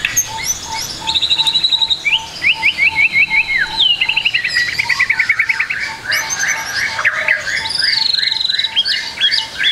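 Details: Rich song of a White-rumped shama for training young shamas to sing: rapid descending trills, sweeping whistles and high chatter, over a steady low pulsing note repeated about twice per second.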